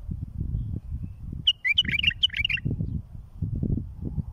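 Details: Song of a bulbul, used to tutor and raise fledglings: a short burst of rapid, sweet chirping notes, about a second long, set against a steady low rumbling background.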